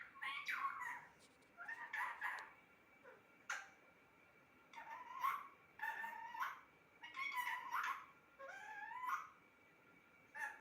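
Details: Pet parrot chattering in repeated speech-like phrases, several ending in upward-gliding, whistled tones, with a sharp click and a soft low hum in the background.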